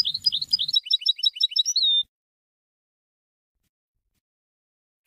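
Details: European goldfinch song for teaching young birds, 2020: a quick sequence of jingling high notes ending in a drawn-out whistled note, followed by silence and one short chip.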